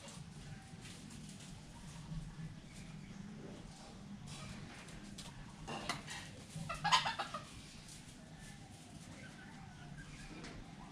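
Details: Red junglefowl calling: a brief cluster of harsh, broadband clucking notes near the middle, rising briefly in loudness, over a constant low hum and faint rustling background.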